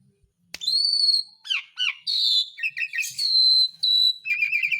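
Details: Asian pied starling song meant to make lazy birds sing: a sharp click, then a long whistle, down-slurred squeaks, raspy chatter and more steady whistled notes.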